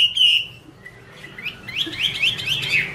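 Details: Chinese hwamei, a female singing while a male sings in the background: a brief whistled note, a quieter pause, then a fast burst of rising, slurred warbles.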